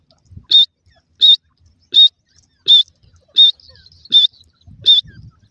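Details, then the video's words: Partridge chicks, filmed racing, give loud high, piercing peeps, seven in a row at a steady beat of roughly one every 0.7 seconds, with faint low rustling and thumps underneath. "partridge chicks natural sounds"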